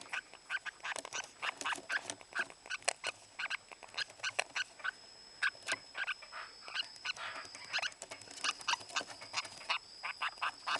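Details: A lineolated parakeet in breeding season chatters nonstop in short, harsh, nasal chirps, several each second, with a steady high whine underneath.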